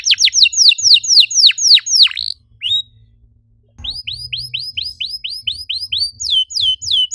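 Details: Canary singing to stimulate other canaries: fast repeated downward-sweeping whistles, a short pause with a single note, then a steady series of rising chirped notes, about four per second.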